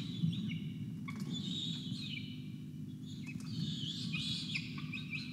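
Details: Peregrine falcons at a Charles Sturt University nest camera, 5 November 2021, a chick getting breakfast after 24 hours without food while an injured adult is also very hungry; a series of thin, wavering, whining calls above constant low rumble.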